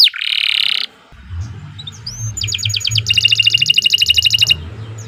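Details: Canary song for training other birds: a loud harsh buzzy burst, a short pause, an upward slurred whistle, then two fast even trills of clipped notes over a low background rumble.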